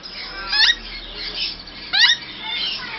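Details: Grey parrots during mating, captive in Bangalore: a Grey parrot gives two loud, harsh, harmonic squawks about a second and a half apart, bending up then down, with softer rasping notes between.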